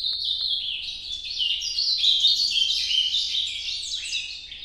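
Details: Ultramarine grosbeak singing in the Nordeste style: a continuous rich warble of rapid, slurred notes that step up and down, bright and high, with little background noise.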